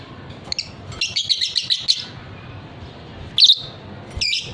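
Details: Lovebird of the fighter type, kept for its long ngekek song, delivers a one-second burst of rapid chattering notes, then two loud rasping chirps after a pause.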